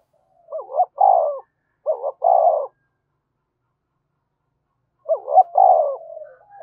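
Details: Spotted dove in vigorous thúc bổi cooing, three phrases each made of a short wobbling note and a fuller hollow coo, the first two close together, then a pause of over two seconds before the third.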